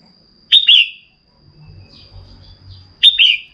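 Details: Female red-whiskered bulbul calling to excite a male into singing, giving two quick chirped double notes that slide downward, spaced about two and a half seconds apart, with a thin constant high tone and faint low murmur between.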